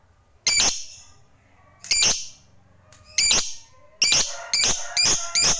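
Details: Fighter lovebird, a kept singing bird, giving harsh, buzzy squawks with bright overtones, about one every second and a half, then quickening into a tight burst of four near the end; quiet room otherwise.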